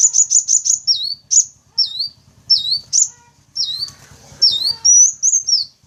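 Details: Sunbird lure calls, including the local types known as Kolibri Wulung, Kaca and Jentit, used to attract wild birds. High, thin notes sweep down and hook back up, alternating with quick chips in short clustered bursts.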